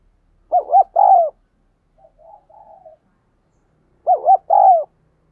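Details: Spotted dove giving the 'thúc gù' cooing style used to train decoy doves and draw wild doves to call: two short rounded coos then a longer falling coo, repeated about every 3.5 seconds, with soft murmured notes between, otherwise quiet.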